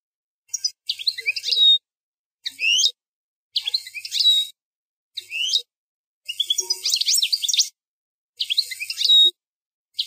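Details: European goldfinch singing the 'plak mine' style of song, the fourth error-free segment. Bright, high twittering phrases with sharp rising and falling notes come in seven short bursts separated by clean silent gaps.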